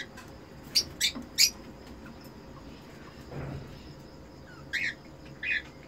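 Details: Cockatiel, red-eyed breeder pair kept in a breeding setup, mating call: three short sharp chirps in quick succession near the start, a soft low rustle mid-clip, then two brief rising chirps near the end over quiet background hiss.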